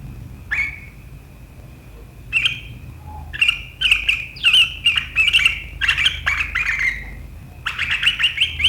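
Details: Sooty-headed bulbul in sharp chattering 'riwikan' style that sets rivals singing, recorded 7 April 2023: bursts of harsh, rapid chatter near one pitch band, in short phrases with brief pauses, plus a low background hum.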